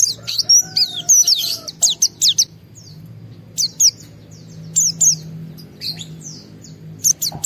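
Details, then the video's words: Excited white-eye singing to spur other white-eyes into song: short, very high, thin chirps and slurred whistles scattered in small clusters, separated by brief quiet gaps, with a faint low hum beneath. "Pleci Mental baja EMOSI Tinggi ampuh mancing semua pleci segera gacor buka paruh"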